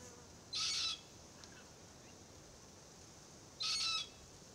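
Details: Threatened Forest Red-tailed Black-Cockatoo (Calyptorhynchus banksii naso) youngster in a Marri tree, complaining while its parents eat green gumnuts. Two grating, wheezy calls, each about half a second long and three seconds apart, over faint background hiss.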